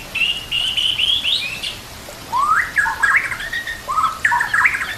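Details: White-rumped shama training song with mimicked kapas tembak and Cililin canary phrases: a run of high whistled notes, a short pause, then lower rising slurred whistles and chattery phrases.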